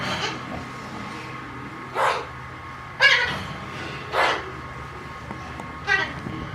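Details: Talking Alexandrine parrot uttering five rough, bark-like vocal bursts about one second apart, each brief and harsh, against a quiet indoor background hum.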